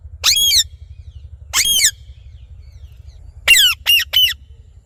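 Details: Parrot calling with loud harsh squawks, three spaced calls followed by two quick shorter screeches, over a faint low hum.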